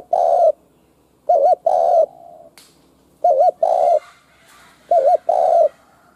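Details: Spotted dove kept as a lure bird for trapping wild doves, giving loud cooing phrases roughly every one and a half seconds: a wavering double coo then a sustained coo, with a faint click between phrases.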